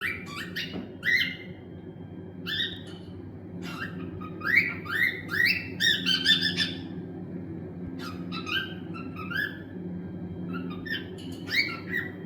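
Cockatiels give bursts of sharp, rising chirps and squawks in irregular clusters over a low hum.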